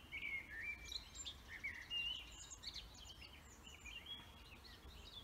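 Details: Birds singing in a forest, with quick twittering phrases and short whistles that trade back and forth over a low constant rumble.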